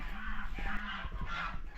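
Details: Domestic geese at a village farm in Čičmany, Slovakia, where chickens are also kept, give a few short, nasal honks in quick succession over a steady low outdoor rumble.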